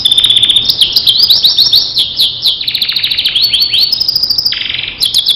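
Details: Starblue canary training song: rapid rising chirps repeated in quick series, then a steady high trill and a lower buzzy roll near the end.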